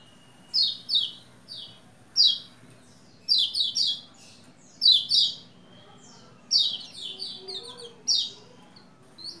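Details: Lombok white-eye singing in quick bursts of high, thin, twittering chirps, clustered notes every second or so with short pauses; faint low background hum; used to stimulate males to sing.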